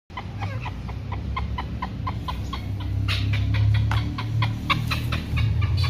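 A chukar partridge gives quick, repeated clucking chuck notes, about four a second, growing louder midway, over a steady low rumble.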